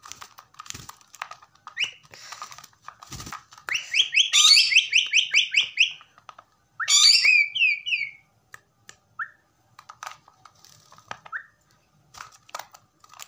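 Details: A pet common myna whistling gives bright, high whistles, including two fast cascades of falling notes and a few short single whistles between them.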